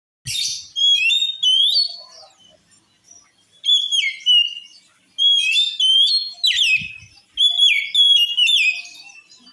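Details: Oriental magpie-robin song said to make other magpie-robins furious: loud bursts of clear, varied whistles and sliding notes with sharp high chips, delivered in phrases about a second long separated by short pauses.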